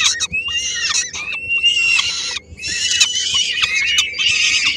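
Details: At a peregrine falcon nest in Helmond, Netherlands, three-week-old young squabble over a small piece of food delivered by the female; loud grating screams in four long bursts separated by brief pauses.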